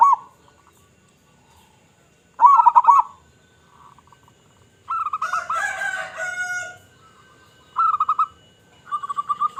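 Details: Zebra dove of local stock cooing, a lure for other zebra doves: short rolling coo phrases separated by long pauses, one phrase overlaid by a harsher, noisy burst, then clipped trilled coos near the end.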